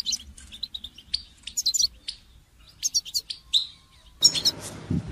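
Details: Goldfinch twittering song of scattered high chirps and short trills. A brief burst of broad noise comes near the end. The recording is meant for training songbirds.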